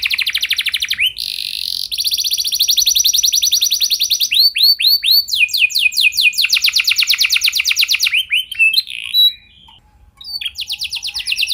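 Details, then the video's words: Canary singing long and continuously, used to prompt other canaries to sing: fast high trills, a buzzy tone, runs of swept notes at several pitches, a brief near-silent gap, then trilling resumes. "Kenari Gacor Lagu Mewah! Buat Kenari Mana Saja Bakalan Langsung Ikut Gacor Panjang"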